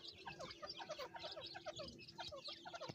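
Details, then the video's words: Farm-raised francolin (teetar) chicks, with the mother calling her chicks, form a busy chorus: many short, high peeping chirps overlap continuously, with a few lower clucking notes underneath. "teetar chicks voice"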